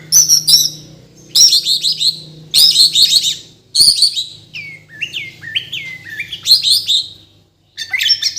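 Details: White-rumped shama from Borneo, kept captive, alternating high buzzy chattering bursts with a stepped series of sliding whistled notes, phrases roughly every second or so.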